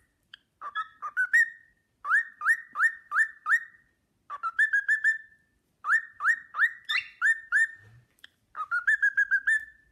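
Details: Pet cockatiel whistling the Sportpalast Waltz at length while a second cockatiel watches admiringly; bright rising whistled notes repeated in quick bursts of four to six, with short pauses between phrases.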